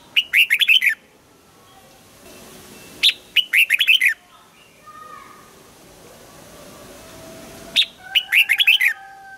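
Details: Red-whiskered bulbul morning song for voice training, double-note mature wild style: three bursts, each opening with a sharp piercing note followed by a rapid run of bright warbled whistles, with quiet gaps and faint tones between.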